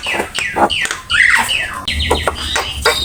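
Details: Javan myna singing for bird training. Falling whistles and a rich warbled phrase mix with harsh chatter in short bursts, over a low background hum.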